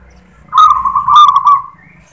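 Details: One rolling, warbled coo lasting just over a second from a local zebra dove singing the "klar ketek kuk" song, starting smooth and breaking into a rapid trill, with faint low hum beneath.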